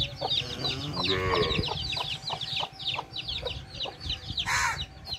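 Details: Mother hen with her baby chicks: a dense stream of high, thin chick peeps overlaps low, evenly spaced clucks from the hen, with one louder, broader squawk near the end.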